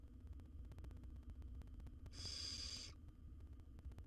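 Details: Nestling barn owl swallowing a rat in a monitored wild nest box; a single rough, snore-like hiss of about a second amid steady low hum and clicking.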